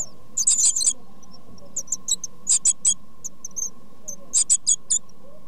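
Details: Great tit (Parus major) nestlings being fed by their parents beg with very high, thin squeaky chirps in quick clustered bursts, roughly one flurry per second, over a steady low electrical hum.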